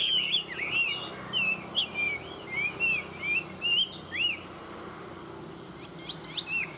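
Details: Chinese hwamei, a tame bird in good song, delivering rapid looping whistles and warbled slurs, short phrases tumbling quickly one after another, some notes sliding upward sharply, over a steady low hum.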